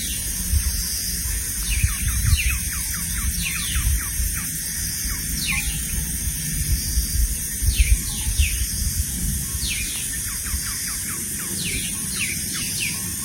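Parrotbills give a steady stream of thin, high chirps, several each second, some sliding down in pitch, over a constant low rumble of wind or background noise.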